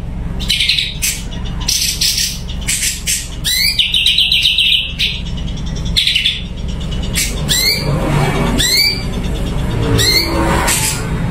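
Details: Kept Sumatran leafbird (cucak cungko) singing vigorously, a varied mix of sharp upslurred whistles, fast trills and scratchy bursts delivered in quick irregular succession against a low droning background.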